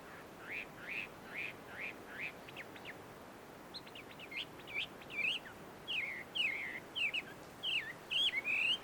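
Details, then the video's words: Wild Chinese hwamei at a tree-shaded Tenmangu shrine in Joso, Ibaraki, Japan, singing more quietly: a series of short slurred whistles, pausing, then a fresh run of looping, wavering whistled notes. "ガビチョウの鳴き声鳴き声。suara merdu Poksai di alam liar!"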